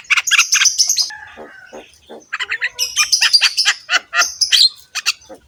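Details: Javan myna in active, harsh-voiced, head-bobbing song, used to train other mynas: scratchy high buzzes and chatter, a short pause with soft lower notes, then renewed raspy buzzing phrases.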